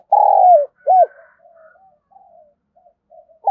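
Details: A spotted dove gives one long sliding gáy coo and a short arched note, then soft scattered murmurs, in calling used to train decoy birds.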